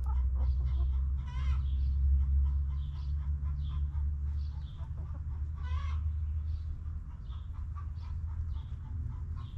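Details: Backyard chickens relaxing in their coop: repeated short clucks and two louder harmonic squawks near one and a half and six seconds, scattered soft calls throughout, steady low rumble beneath.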